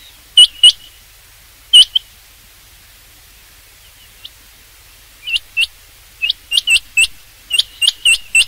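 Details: Rain quail calling, recorded for use in hunting: short high notes given in pairs, an early pair and a single note, then a long gap before a dense run of paired notes near the end.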